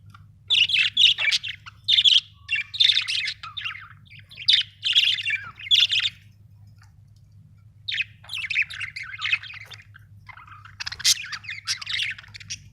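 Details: Budgerigar chattering in bursts of bright, scratchy warbled chirps, in several phrases separated by short pauses and a longer gap near the middle, over a steady low electrical hum.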